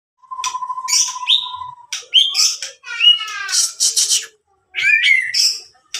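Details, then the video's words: White-rumped shama with a 27 cm tail, recorded on an Android phone in Sidoarjo, East Java, Indonesia: a varied song opening with a long steady whistle, then rich slurred, trilled and buzzy phrases at shifting pitches, broken by short pauses. "The 27 cm tailed magpie pastol really tempted"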